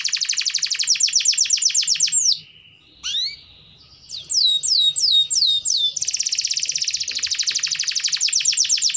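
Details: Insistent canary song used to encourage canaries that rarely sing; a fast metallic trill, a brief pause with a rising sweep, five falling whistles, then a long rapid trill to the end.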